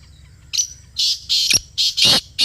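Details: Kala teetar, the black francolin, calling close by: a series of loud, rasping, grating notes, some paired, delivered at a brisk, uneven pace.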